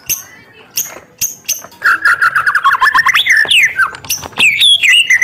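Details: White-rumped shama in full, vigorous song, used to provoke rival birds: sharp clicking notes, then a rapid run of buzzy repeated phrases and looping whistled notes, loud and dense throughout.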